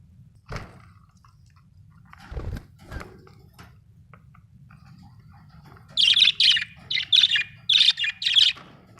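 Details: Budgerigar giving a quick run of loud, sharp, high chirps in the final three seconds, about six notes in close succession, after a quiet stretch with a few soft thumps and faint rustling.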